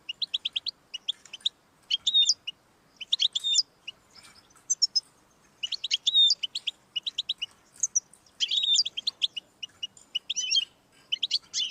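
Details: Lively European goldfinch song used to encourage a pet goldfinch to sing: long sequence of rapid twittering phrases mixing metallic chirps, buzzy rattles and slurred whistles, with short pauses between bursts.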